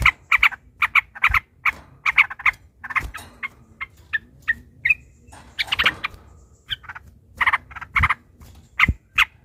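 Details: Yellow-vented bulbul in agitated fighting chatter, a lure to set other bulbuls singing. Irregular bursts of sharp, clipped chirps come in clusters, with louder dense phrases near the middle and end.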